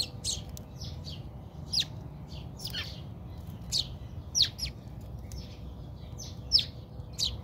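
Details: House sparrows in a South African backyard scuffle, pouring out rapid, shrill descending chirps and squeaks in dense, uneven bursts with a low hum behind.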